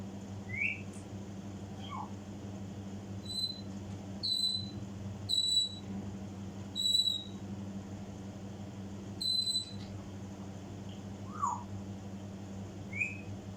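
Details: Mimicry by an African grey parrot: repeated sharp whistled notes with clicking pops in a loose series, plus a few separate rising chirps at the start and end, against a constant low electrical hum indoors.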